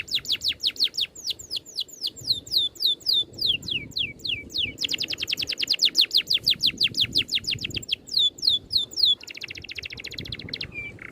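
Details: Oriental magpie-robin tight rolling song with tidy shots, for training birds: spaced sharp downslurred whistles, a very rapid packed run of them, then a buzzy rattle ending in a short flat note.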